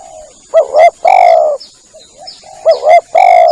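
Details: Spotted dove lure call used when hunting: two phrases of paired short rising coos followed by a long hoarse coo, with a soft low coo between them. A faint high-pitched tone continues throughout.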